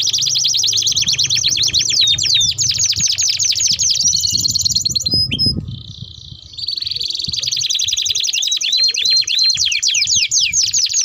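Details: Canary delivering a long rolling song used to lure and tutor young canaries: dense high trills of fast repeated notes, a brief pause near the middle, then the rolling resumes with swooping slurs.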